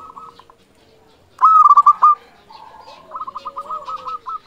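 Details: Local zebra dove, a lively singer, cooing in rapid stuttering phrases of short mellow notes that rise into a louder trilled burst, followed by softer rolling coos.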